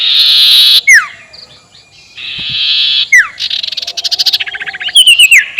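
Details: Provocation lure of the sirtu's ngekek call: long buzzy bursts separated by sharp falling whistles, then a quick stuttering series of pulsed notes and closing rapid whistled trills.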